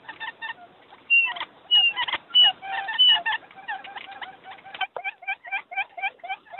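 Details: Lure call of quail: clipped harmonic notes mixed with thin whistled slurs early on. Later comes a looser series of sharp, ringing calls about every half second.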